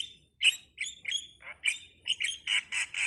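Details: Harsh, grating squawks from a starling, repeated irregularly and growing busier toward the end, over a low steady background hum.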